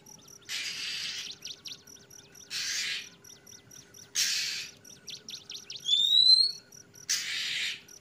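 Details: Oriental magpie-robin (kacer) singing in the trotol ngeplong style: loud raspy, hissing bursts about every two to three seconds, separated by rapid dry ticking runs and one bright rising whistle, over a faint steady hum.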